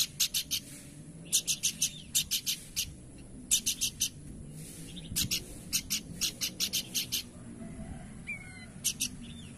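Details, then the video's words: Singing Horsfield's babbler repeating short bursts of three to five sharp, percussive notes over nearly ten seconds, series spaced about a second apart, with a faint different bird call near the end. "Burung Planduk Semak Gacor"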